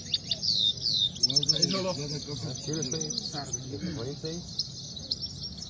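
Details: Himalayan goldfinch, locally called Saira, in a singing contest: high, rapid twittering and trilled notes run almost without pause, while a man talks loudly underneath through the middle seconds.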